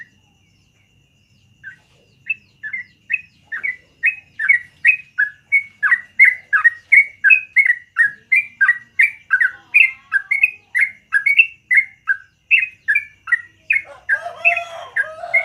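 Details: Yellow-vented bulbul singing a long 'ropel panjang' rapid-fire song in the morning: short bright whistled notes, rising and falling, repeated about three per second for over ten seconds, ending in a harsher jumbled burst.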